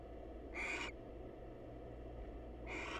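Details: Female barn owl, wild, visiting a male at a nest box to greet him: two loud hissing screeches about two seconds apart with steady low hum behind.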